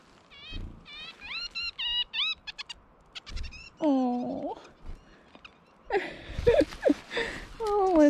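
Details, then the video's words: A female Red-breasted nuthatch, vocal and hormonal in the breeding season, gives quick runs of short, nasal, upslurred R2D2-like notes, then a person talks and soft music plays. "Red-breasted Nuthatch Sounds"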